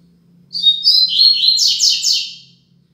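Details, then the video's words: Double-collared seedeater performing the Braddock 'Tui Tui Zel Zel Top' song meant to teach young birds: rapid high warbled whistles followed by three evenly spaced, rasping downslurred buzzes, with a low constant hum in the background. "Tui Tui Zel Zel Top - Coleiro Braddock"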